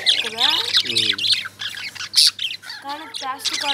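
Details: Several Indian lovebirds chatter in quick, harsh, high chirps and squawks that overlap without pause, with lower voice-like tones breaking in now and then.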